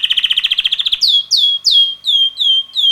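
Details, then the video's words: Red male canary aged about six months singing: a fast rolling trill of about fifteen notes in one second, followed by six loud drooping whistled notes spaced evenly. "red canary bird singing - roter singender Kanarienvogel"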